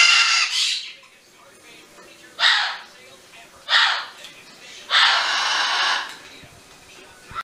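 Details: Twenty-two-year-old Severe macaw at a sanctuary on its first day there, 6 September 2015, giving loud grating screeches: one opening burst, two short harsh squawks, then a longer hoarse scream, separated by quieter gaps with low room noise.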